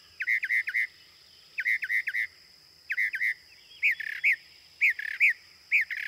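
A Northern Mockingbird sings bright, clear chirped notes in quick bursts of three or four, repeating one phrase several times before switching to a new, buzzier one.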